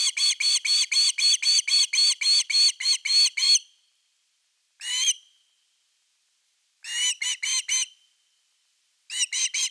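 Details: Osprey on nest #3 under a live camera, 30 August 2021, evening fish; a long rapid string of about fourteen whistled chips, then a single call and two shorter bursts of similar piercing notes.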